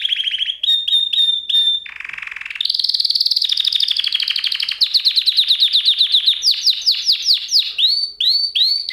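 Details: Canary song played as a singing lesson for canaries: a continuous chain of rapid trilled tours, moving from high repeated chirps to a lower buzzing roll, then a bright rolling trill and looping downward-sweeping notes repeated about twice a second.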